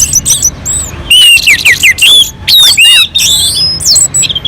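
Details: Orange-headed thrush on a mountain slope singing to provoke other birds: bursts of sharp, rising and falling whistles and harsh chattering notes separated by brief pauses, over a faint low hum.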